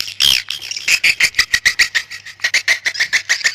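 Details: Swiftlet calling: a short series of separate high, buzzy chirps, each with a thin whistled edge, repeated irregularly in quick succession.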